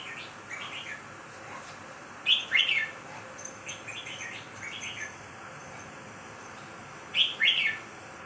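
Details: Red-whiskered bulbul song in short lilting phrases, two louder bursts spaced about five seconds apart with softer notes between, against a quiet steady background.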